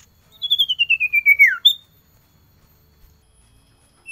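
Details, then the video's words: Male common iora (cipoh) calling to a female, cold season: a fast run of about ten pulsed whistled notes drifting steadily lower, ending in a sharp downward slur, then a single high note; otherwise quiet. "SUARA CIPOH CIPOW JANTAN PANGGIL BETINA"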